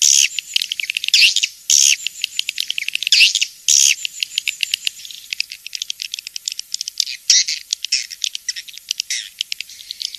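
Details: Swiftlet, 'King's Star' style sound for swiftlet farming: a few loud high twittering bursts early, then long stretches of fast, irregular dry clicks with faint chirps, nothing else audible.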